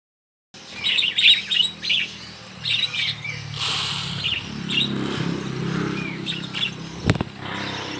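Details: Many budgerigars in a small aviary during hand feeding, giving bursts of bright chirps in the first few seconds, then quieter scattered chirping over a steady low rumble.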